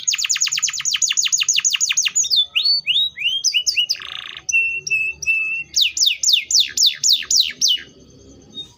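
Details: Canary song: a rapid series of steep falling notes, then varied whistled slurs, a short harsh buzz, flat whistled tones, and another run of loud descending sweeps.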